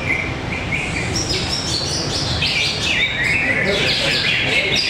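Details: At a bird-singing contest arena in Tapos, Depok, greater green leafbirds pour out quick, high, varied whistles and rapid chirps, with a short repeated whistled note and voices underneath.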